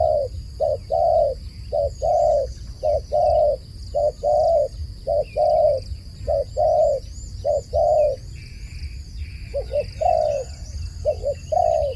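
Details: Extended dove calling, short and long mid-pitched coos repeated regularly for twelve seconds, with thin high chirping of small birds in the background and steady low rumble.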